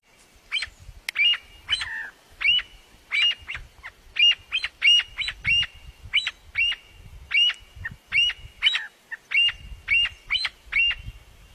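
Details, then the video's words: Partridges calling each other: a steady run of short, harsh, grating notes, each with a rising squeaky core, repeated roughly every half second to second across the whole stretch, over faint low rumble. "partridge are calling each other"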